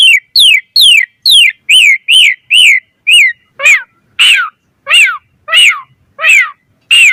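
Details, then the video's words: Asian pied starling song used as bait for other starlings: steady series of downslurred whistles roughly every half second, shifting midway to lower, rising-then-falling chirped phrases at a slower pace. "Suara Jalak Suren Gacor Variasi Full Isian Ampuh Cepat Respon Buat Pancingan Burung Jalak"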